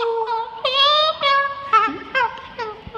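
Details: A pet bird singing and dancing in an office gives about six tuneful, voice-like phrases, each sliding up or down like humming or half-sung words; the owner thinks it says "I love you" at the end. No other clear sounds.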